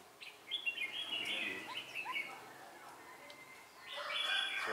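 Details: Red-whiskered bulbul singing during trapping with a slide trap, 4 December 2016; a long flowing phrase of warbled whistles, a quieter gap with soft upslurred chips, then another loud burst of song.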